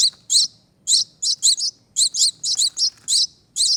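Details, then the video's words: Two rescued baby finches, hatched in a front-door wreath, begging while being hand-fed: high, sharp chirps in quick irregular bursts, some doubled, about a dozen in under four seconds, with a faint low hum behind. "Feeding Baby Birds"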